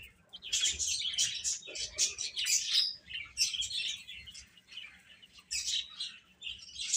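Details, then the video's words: Domestic chicks at food and play utter clusters of sharp, high chirps, loud in the first half, then quieter with gaps. "Baby Hen Chirping Sounds"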